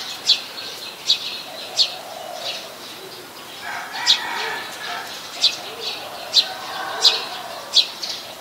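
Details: Brown-throated sunbird at Ubon Ratchathani, Thailand, 13 January 2021: repeated sharp high chip notes roughly every second, while another bird's lower warbling chatter runs in the middle of the clip.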